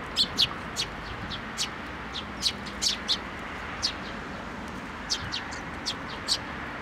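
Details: Juvenile sparrows coming for food at a Tenmangu shrine on 25 May 2024; a busy run of brief, piercing chirps from several birds, closely spaced and overlapping, above faint steady background noise.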